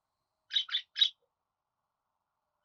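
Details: Three quick, grating budgerigar chirps in a tight row, then silence and the start of another note.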